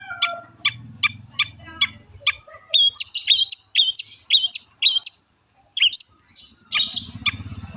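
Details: Long-tailed shrike song from a master recording for training songbirds. Sharp, evenly spaced ticking notes about every 0.4 seconds, then loud, buzzy, rising chattering phrases repeated with brief pauses, over a soft low hum.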